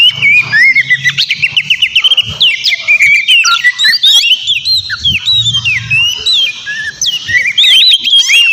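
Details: Energetic white-rumped shama (kacer) song used to goad a rival into answering: rapid chains of sharp whistled slurs and chattering notes, tumbling up and down, with brief low rumbling underneath.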